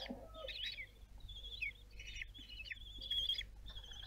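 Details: Common kestrel at Théding, France, 26 June 2022 around fledging: softer, more distant whistled calls with brief descending flicks, spaced irregularly, over low rumble and faint rustling.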